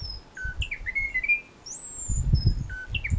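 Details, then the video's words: Munchique Wood-Wren, an endemic of Colombia's western Andes, singing at Parque Natural Tatamá: clear, varied whistled notes jumping between high and mid pitches in quick phrases, over low rumbling background noise. "Munchique Wood-Wren"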